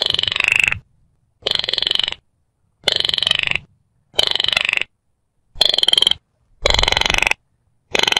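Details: Baillon's crake giving a long series of harsh, pulsed rattles, each lasting roughly three quarters of a second and repeated steadily, with clean silence between bursts.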